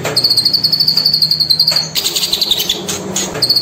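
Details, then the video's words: Racket-tailed treepie, played as a training recording for songbirds: a rapid, very high, thin trill of clipped metallic notes, breaking into scratchier chatter before the trill resumes. Faint background noise. "ISIAN CILILIN"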